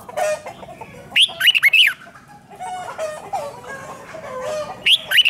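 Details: Red-whiskered bulbul, 'rik' song played to caged birds to excite them: a burst of five or six sharp whistled notes, then a second shorter phrase, amid a steady background of mid-pitched chatter and chirps.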